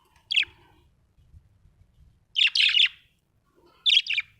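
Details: Happy budgerigar giving a short chirp, then a longer scratchy warbled burst, and a final double chirp, all high and buzzy, separated by quiet gaps.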